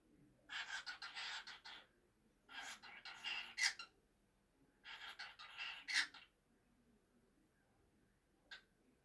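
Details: A pet cockatiel talks in raspy, whispery bursts of speech-like mimicry chatter, with short pauses between phrases.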